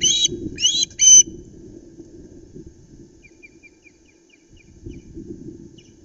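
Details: Osprey on a camera-watched nest at Loch Arkaig, where a flapping flounder has been brought in; three loud, harsh chirped bursts open, then a run of faint, thin repeated pips over low rustling and knocking on the nest.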